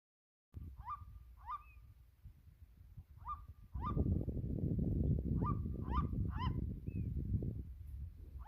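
A red-legged seriema gives loud, sharp upslurred yelps, about nine in eight seconds, in uneven bursts, over a low rumble of wind or handling noise that swells halfway through.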